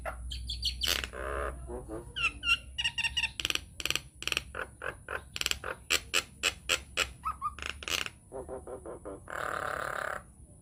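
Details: Nias hill myna lure recording meant to provoke other mynas into singing: loud, varied whistles, sharp squawks and harsh noisy bursts in a quick, irregular series, a steady high electronic whine throughout and a low rumble underneath.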